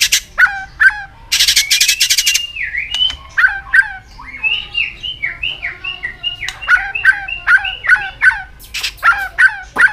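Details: White-rumped shama singing in a contest, tail flicking throughout; rapid series of varied whistled notes, many sharply rising or falling, with repeated short phrases, a brief noisy rustle near the start and clicks between notes.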